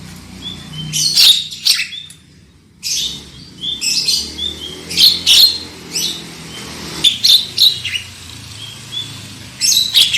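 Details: Black-winged myna song used as a lure to get birds singing loudly: repeated harsh, rasping bursts mixed with short high whistled notes, coming in irregular clusters throughout.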